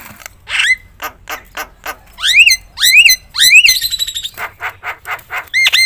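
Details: Full-repertoire Javan myna (jalak kebo) song, loud and provoking to other mynas: rapid clicks and harsh notes, a run of three or four bright upswept whistles, then more scratchy chatter and a closing curved whistle.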